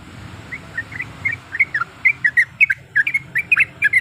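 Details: Female yellow-vented bulbul calling, a lure meant to provoke a rival male: scattered bright chirps that quicken into a rapid bubbling chatter over a constant hiss.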